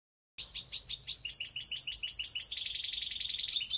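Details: A caged canary (baster, mixed song) from Skopje sings a fast run of bright, repeated chirping syllables, then breaks into a rapid rolling trill, with no other sounds noticeable.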